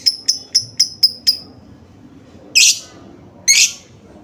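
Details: Lovebird sound used as a lure to start lovebirds singing: six quick, ringing high notes in a rapid burst, then two coarse, rasping screeches about a second apart.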